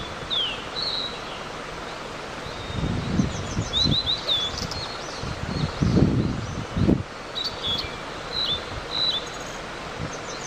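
A blue-and-white flycatcher gives scattered high, thin chirps and short whistled notes. Louder rustling and thumping noises close by partly cover them.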